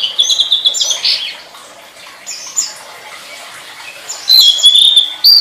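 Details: Tledekan song from a master recording for training songbirds: bright, high chirped phrases with quick sliding whistles, loud at the start and end, with a quieter chattering stretch between.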